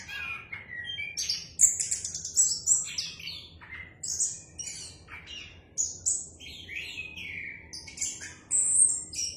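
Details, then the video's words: Orange-headed thrush in full song, a clear, varied stream of loud whistled and slurred phrases, some very high and piercing, others lower and fluty, with short pauses between bursts. "anis kembang gacor suara jernih"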